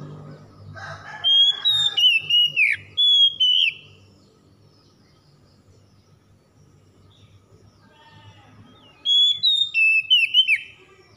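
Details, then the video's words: Oriental magpie-robin song used to coax a stressed bird back into singing; two phrases of clear whistled notes sliding up and down, about two seconds each, separated by a long quiet gap with low background hum. "PANCINGAN PEMULIH KACER SETRES DAN MACET BUNYI CEPAT GACOR"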